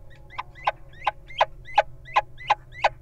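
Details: Wild little owl guarding its partner entering the nest box, calling with a brisk, even series of sharp, upward-sweeping yelps, roughly three per second, over a quiet low hum.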